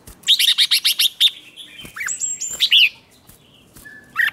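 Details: Red-whiskered bulbul in competitive song meant to provoke singing: a fast run of about seven bright repeated notes, then slurred whistles and a short downward-curving phrase, ending with a faint high note.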